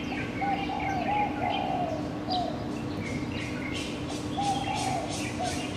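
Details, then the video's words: Birds at dawn, captured on a Canon PowerShot SX700 HS, give mellow low coos in short runs while thin high chirps and twitters sound above, with a constant droning hum in the background. "Bird 早安曲"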